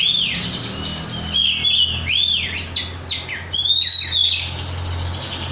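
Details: Kept oriental magpie-robin in the rudal korea song style, singing actively: loud, varied high whistled phrases with arched and looping notes and a few sharp upslurs, over a steady low hum.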